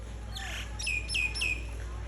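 A myna gives a harsh squawk, then three quick, clear whistled notes that drop and level off, calling its mate close. A low steady hum runs underneath.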